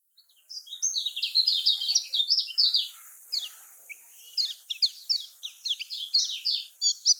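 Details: Lemon-bellied white-eye song in the Lombok style, played to prompt lazy caged birds to sing: a fast, dense run of high chirps and twittering notes, pausing briefly near the middle before resuming, with a faint background hiss.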